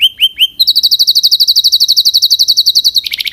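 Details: Canary song opening with three rising-falling whistles, then a rapid steady trill of high notes about eight per second, ending in a lower buzzy trill.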